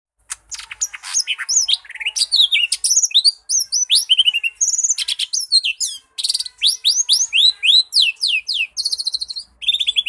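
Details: Lesser green leafbird singing a dense, fast, varied song of high sweeping whistles, rapid trills and sharp chirps, with barely a pause over ten seconds.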